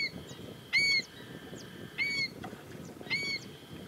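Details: Three sharp, nasal yelps from a female black-winged stilt spaced over about four seconds, crisp and ringing, with a thin steady high tone and soft rumble in the background.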